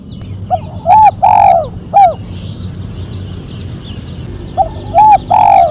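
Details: Spotted dove giving a sharp mercik-style call with one kuk, kept for luring and training birds: two phrases of rounded coos ending in a long sliding note, with faint high chirps of other small birds between them.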